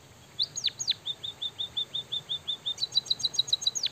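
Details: White-headed munia mimicking canary song. Two swooping whistles open the phrase, followed by a steady run of soft, level, high chirps. A denser burst of rapid twitters builds in, ending with one last falling whistle.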